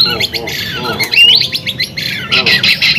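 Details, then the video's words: Lure song of a vigorously singing white-rumped shama for stimulating other shamas: rough squawky and buzzy notes mixed with a quick upward-sliding whistle, delivered in short bursts with brief gaps. "MURAI BATU GACOR Ampuh buat pancingan"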